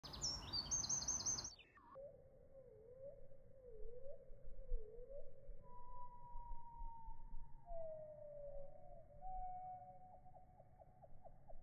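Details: Birdsong recorded on an iPhone, thought to be mainly a wren: a rapid, high, rattling song heard briefly at normal speed, then slowed down into low, drawn-out slurred whistles and a stuttering trill; identified as Eurasian wren.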